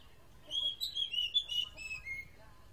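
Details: Oriental magpie-robin song, said to be strange: rapid run of bright whistled notes and trills, some higher and sharper, followed by a few lower, softer descending whistles toward the end.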